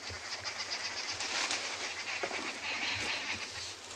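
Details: Arrow-marked babblers on an afternoon game drive on 1 May 2020 at Ngala Private Game Reserve, South Africa, in a harsh, rapid chattering chorus, several birds calling over one another in a continuous babble, with a low vehicle rumble underneath.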